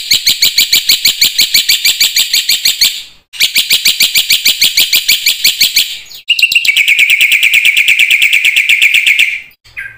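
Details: Black-winged myna in full, lively song, used to prompt silent mynas into singing: long bursts of rapid, harsh, buzzy chattering notes repeated about three per second, broken by short pauses, ending in a steadier grating trill.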